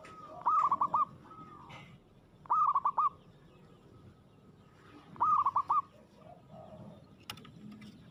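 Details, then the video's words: Somewhat distant local zebra dove in aggressive song: short trilled coo phrases repeated every two to three seconds, with faint background noise and a sharp click near the end. "suara perkutut gacor agresif mental baja"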